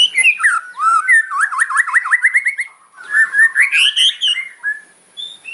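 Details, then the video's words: Hard fighter-style song of a white-rumped shama, meant to make rivals agitated; a fast zigzag of wavering whistled notes, then rising, tumbling phrases and a few high chips. "KRETEKAN MURAI KERAS FIGHTER ISIAN TAJAM BIKIN LAWAN EMOSI"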